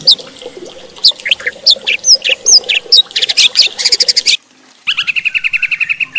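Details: White-rumped shama singing to stir other shamas into more aggressive song: varied loud whistled phrases and slurred upward notes, then a rapid stuttering burst, a short pause, and a steady run of quick repeated chirps.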